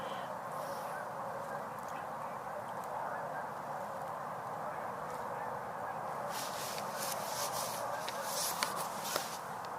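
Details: A large flock of tundra swans, very vocal at this time of year, on 12 November 2022. A steady, dense chorus of mellow, high hooting and yelping calls overlaps without pause, with a few sharp rustles and knocks late on.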